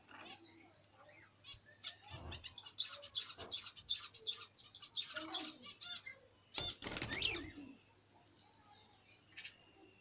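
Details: Budgerigars in a busy, irregular stream of high chirps and warbling chatter, with a wing-flap burst around the middle and quieter scattered calls toward the end.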